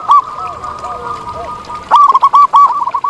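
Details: Zebra dove, a wild bird in nature, gives a single short coo, then after a pause a quick series of loud, rolling cooing notes. Fainter dove calls sound in the background.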